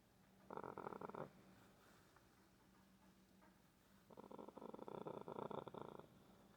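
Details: Pet green-winged macaw cuddling its owner like a puppy gives two low, raspy purring grumbles, a brief one then a longer burst of about two seconds, against a quiet indoor hush.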